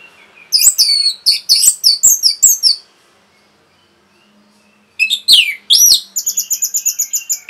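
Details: Orange-headed thrush in a quick, provoking song: a string of about eight loud, sharp, high slurred notes, a short silence, then sweeping whistles and a fast buzzy trill of repeated high notes.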